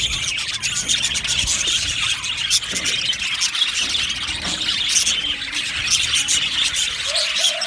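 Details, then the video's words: Happy budgerigar flock in an aviary, continuous high-pitched chirping and squealing chatter from many birds, with a short low tone near the end. "Happy Budgies chirping sounds"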